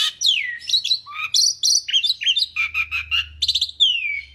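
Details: Asian pied starling pouring out vigorous song used as a tutor recording: swooping downslurred whistles, clustered chirps and buzzy notes in a fast varied stream, closing with a long falling whistle.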